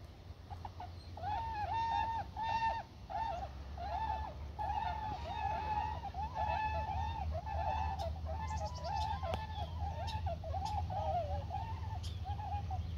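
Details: A flock of tundra swans on the water at Church Slough, a Flathead River oxbow near Kalispell, Montana, alongside trumpeter swans, gives a steady chorus of mellow, slightly nasal hoots and yelps, overlapping constantly, over low wind rumble.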